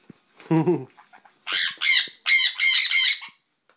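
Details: Baby sun conure, a male, gives four loud, harsh, rasping squawks in quick succession after a brief human word.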